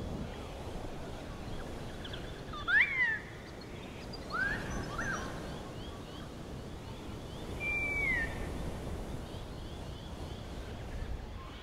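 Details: An adolescent Wedge-tailed Eagle calls at sunset in Plenty Gorge, Melbourne, on a hot day with a light breeze. It gives thin whistled slurs, one sharp rising-falling note followed by softer falling whistles, over a steady wind hiss.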